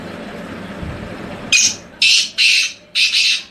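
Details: Tamed wild black francolin from Hangu, Khyber Pakhtunkhwa, Pakistan, after a quiet low hum, delivers four loud, harsh, buzzy notes in a rhythmic phrase, each about a third of a second long.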